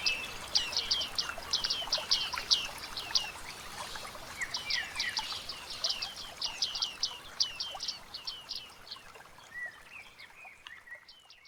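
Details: Bearded reedlings moving through thick reeds in a wetland: long stretches of quick, high, descending ping-like notes, many overlapping in busy bursts, quieter scattered calls and a few lower twittering notes near the end.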